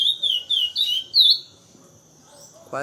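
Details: Chestnut-bellied seed finch in the classic Praia Grande song type: four clear, high, slurred whistles in about a second and a half, then silence before a brief knock.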